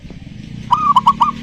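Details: Zebra dove song used as a lure to prompt a silent dove on a terrace into singing: a quick phrase of four clear, mellow notes, the first drawn out and the rest short and bubbly, over a low background hum.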